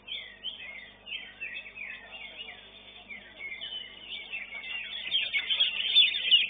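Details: Greater green leafbird (cucak ijo) singing in a bird-song competition in the Maestro class, a rich run of varied whistled and chattering phrases, swoops and trills, rising louder toward the end.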